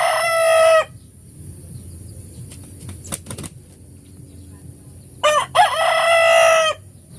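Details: A rooster crows twice in the morning, loud and harsh. The first crow is cut short, and the second starts in choppy bursts before holding a long, strained note. A few faint knocks fill the quiet gap.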